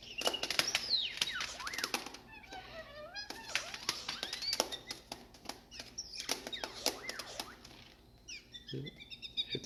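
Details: A Blue Jay at a Connecticut nature center, believed male, gives rapid, squeaky, R2-D2-like chirps and warbles sweeping up and down in pitch while tap-dancing on a finger with crown raised, belly puffed and tail flared, with tapping throughout.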